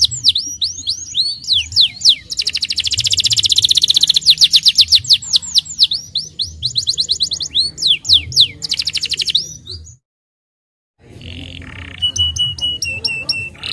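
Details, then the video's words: Canary singing continuously to draw young canaries into song and rolling; dense rolls and falling whistles fill the first ten seconds, then a brief silence, then steady repeated clear notes. "Kenari starblue gacor ampuh pancing burung kenari muda cepat bunyi dan ngeroll"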